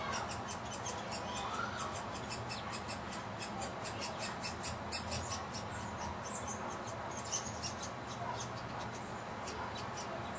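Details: Hungry young woodpecker being fed at its bird house on a front patio gives fast, high, squeaky chittering in rapid bursts, several notes each second, over a steady background hiss.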